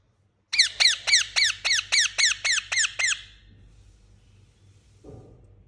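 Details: Pet parakeet giving a quick run of about eleven sharp, high chirps, each sliding downward, roughly four per second for under three seconds, then near silence with a soft low thump; meant to encourage lonely birds to chirp back.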